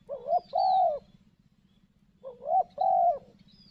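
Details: Decoy spotted dove set in dense cover to lure a wild dove, cooing twice: each phrase a short rising note then a long even coo, the pair repeated about two seconds apart over a steady low pulsing hum.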